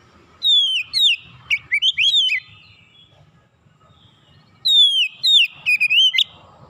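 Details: Oriental magpie-robin calling, recorded as therapy chirping: two bursts of loud whistled phrases about four seconds apart, each opening with a long descending whistle followed by quick twisting notes, with quiet between.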